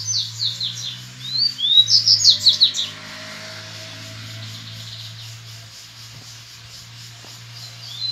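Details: Double-collared seedeater singing "grego" style song in nature, contesting rivals: quick high descending slurs repeated rapidly for three seconds over a steady low hum, then quiet with a faint note at the end.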